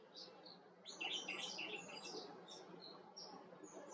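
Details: Himalayan or white-cheeked bulbul with a quick run of bright, warbling chirps that rise and fall, followed by scattered thin, high tweets over faint background noise.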